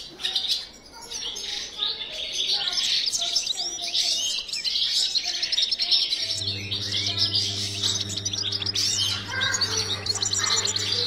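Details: Caged European goldfinches in a breeding room give an unbroken, glittering high twitter with scratchy chirps. A low droning hum starts about halfway through and carries on to the end.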